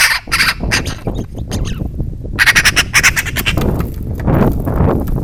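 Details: A Eurasian magpie close to a camera set near food, apparently disliking it, barks like a little dog: harsh, rasping bursts, several in quick rattling runs, over low rumbling background noise.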